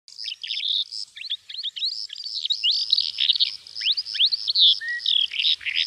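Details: Calandra lark from Greece singing a fast, jumbled stream of high chirps, trills and rising and falling slurred whistles, with barely a pause across the stretch.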